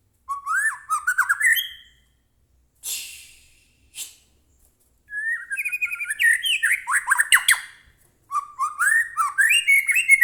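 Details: Varied White-rumped shama song for coaxing a caged shama to sing: rising whistled runs, two brief harsh bursts, then long rapid sequences of whistles and chatters that climb and fall.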